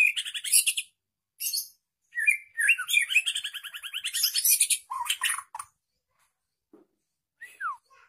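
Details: Two-year-old white-rumped shama delivering a fast, chattering song of buzzy, high chirps and rattling notes in dense phrases, ending with a short falling whistle.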